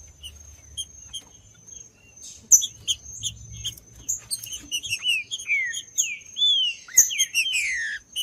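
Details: Green-winged saltator song, played to warm up a cold captive bird and make it sing, as kept by breeders who enter singing tournaments. Scattered high chirps turn into loud sliding whistled phrases toward the end, over a thin steady high tone.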